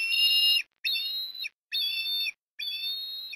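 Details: Whistled osprey calls at a nest in Port Lincoln, Australia, on an afternoon of food deliveries in October 2021. Four sustained calls, each about half a second, come with short pauses between them. They are high, clear and steady, with strong overtones.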